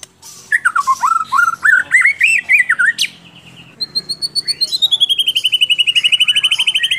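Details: Murai batu, the white-rumped shama, Central Java, Indonesia, singing isian-style masteran material: a jumble of varied chattering, warbled notes, then a long, even, fast trill of high clicks that continues for several seconds.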